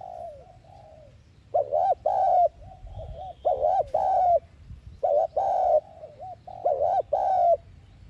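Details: Lure cooing of a spotted dove in the thúc gù style, meant to provoke wild doves: four steady phrases about every 1.8 seconds, each a doubled hooting coo then a longer sustained note, clean with faint low background hum.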